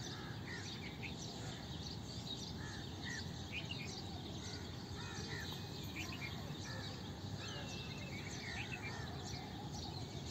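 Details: Bulbul song of short, bubbly, liquid chirps and whistled phrases, repeated throughout over a steady low rumble; bulbuls sing frequently in the breeding months, peaking in March–April in South Asia.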